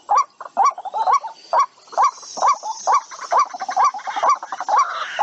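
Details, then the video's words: White-breasted waterhen calling for use as a trapping lure, a rapid chain of rising croaked notes with faint hiss and a soft whistling tone in the background. "tiếng chim quốc chuẩn để bẫy chim rất hiệu quả"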